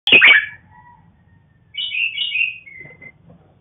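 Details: Red-whiskered bulbul, a farm-bred cross between a black-crested form and a female: a sharp burst of notes, then a clear whistled, warbling phrase that slides down and ends in a short level whistle.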